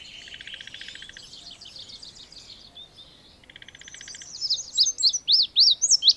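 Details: Indigo bunting song: after soft background chatter and two buzzy trills from other birds, the bird bursts into loud, high, rising-and-falling slurred notes repeated rapidly to the end.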